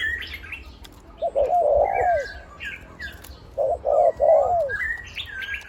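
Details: Spotted dove decoy for ground, branch and trap-pen luring, deep one-kuk voice: two phrases of a short coo running into a longer falling coo, separated by a pause, with whistling songbirds in the background.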